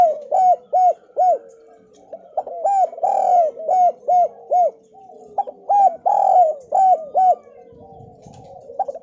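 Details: Javanese spotted dove, Kuk 2 style lure for prompting lazy doves to call: repeated phrases of three or four arched coos, each phrase with one longer swelling note, separated by short pauses.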